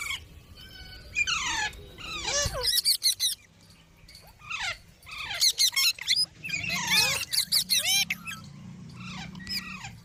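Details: Green parrot, an Indian parrot, giving natural calls: harsh, squeaky screeches with rapidly rising and falling harmonics in bursts, some clustered around the third and seventh seconds, over low background rumble.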